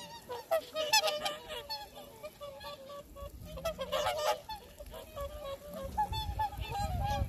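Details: A flock of swans on the shore of Lake Kussharo in Teshikaga, Hokkaido, Japan, gives overlapping nasal, bugling honks, some rising and falling, in busy bursts over a low rumble of wind or water; tourists' voices faintly audible.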